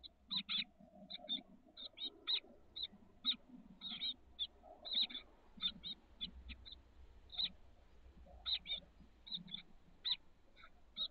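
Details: Chestnut-backed chickadee nestlings, 13 days old, in a backyard nest box in the south peninsula of the SF Bay Area on 30 May 2023. They give thin, high chips in quick irregular bursts over a soft rustle and murmur.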